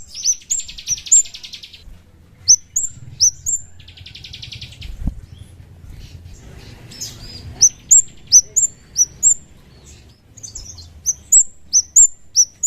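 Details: Chestnut-capped thrush lure recording: sharp, high whistled chirps repeated in quick bursts, alternating with two dense buzzy rattling phrases, over a low background rumble.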